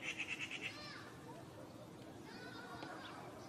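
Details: A Eurasian magpie from a courtyard pair in spring gives a quick harsh rattle of about six rapid pulses, followed by faint thin background sounds and a steady low hum.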